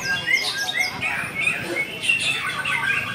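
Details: White-rumped shama in a singing contest: bright whistled notes and quick slurred phrases, some rising, overlapping with more high chirping song from other birds.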